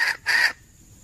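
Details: Red junglefowl hen, wild, calling for males on 17 February 2021: two quick, loud, raspy harmonic notes in close succession, then quiet.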